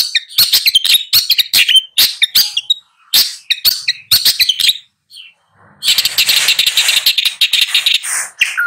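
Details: Long-tailed shrike gives a rapid jumble of scratchy notes and short whistles, a short pause, then a continuous, noisy, grating chatter.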